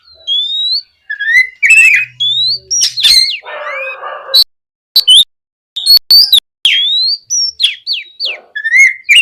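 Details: Oriental magpie-robin singing in ngeplong gacor fashion to stimulate other magpie-robins: rising and falling whistled phrases, clicks and chattery notes, interrupted midway by a short broad rasping sound and a few silent gaps.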